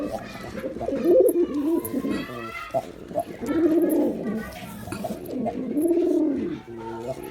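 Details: Male pigeon cooing in a series of low, rounded, arching coos, each swelling and fading over about a second, with faint higher whistles and murmuring in the background.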